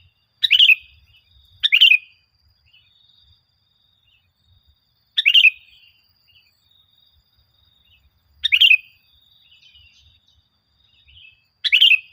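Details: Sooty-headed bulbul singing energetically, a lure recording for prompting caged bulbuls to sing and building their confidence: five short, bubbly, chirping phrases, some in quick pairs, separated by gaps of several seconds in an otherwise quiet background.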